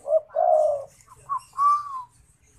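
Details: Zebra dove in full song: a short clipped note, a long low purring coo, then higher trilled notes ending in a drawn-out slightly rising and falling coo.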